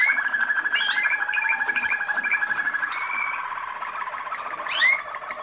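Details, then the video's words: Waterslager Malinois canary from Kumanovo, Macedonia, descended from international contest champions: fast rolling trills mixed with rising whistled slurs and sharp upward flicks, the bubbling roll slowing and softening toward the end. "Waterslager, Malinois song"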